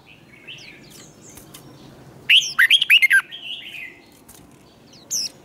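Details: Red-whiskered bulbul in training for fighting song, a 'twisted voice': quiet chirps from other birds, then a loud burst of six quick warbled, swooping notes, and a single high note near the end.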